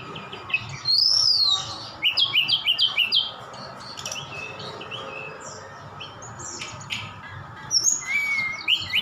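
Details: Javan bush lark from Sukabumi in full song with imitations of other birds such as sikatan Londo. A loud looping whistle, then a burst of rapid chirps. Quieter scattered notes follow before a rising whistle closes.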